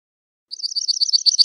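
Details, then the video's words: Two-barred crossbill (Loxia leucoptera) singing a rapid run of high, dry chirping notes, about eight per second, after half a second of silence. "Two Barred Crossbill Bird Song"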